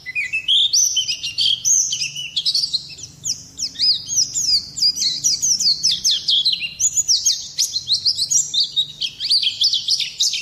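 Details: Oriental white-eye song: a continuous, rapid stream of high, thin twittering notes with quick rising and falling slurs, dense and unbroken throughout, with no other clear sounds.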